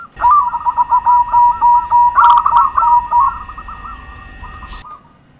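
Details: Zebra dove, a local gacor perkutut used as a lure for trapping, giving a rapid series of short bubbling coos around one pitch, about three notes a second, with a steady high electronic whine behind.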